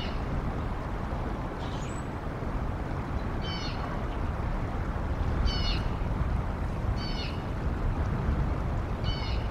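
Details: Bald eagle pair at nest N1 in Decorah on 18 April 2022, around 10:15 am, after adding fluff to the nest, filmed by a live nest camera. Short, high, stacked chirping calls repeat about every one and a half seconds over a heavy, steady low rumble.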